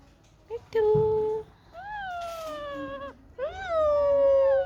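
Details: Pet Indian ringneck parakeet in a happy mood, enjoying the sun, talking: three drawn-out, voice-like tonal phrases, the first level, the others gently rising then falling, separated by short pauses, with faint room sounds.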